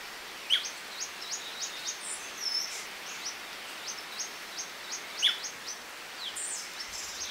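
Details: Hook-billed hermit, locally called balança-rabo-canela, recorded in Santa Maria do Salto, Minas Gerais, Brazil: a series of very high, thin, squeaky notes repeated every few tenths of a second, with two sharper, louder chips and light background hiss.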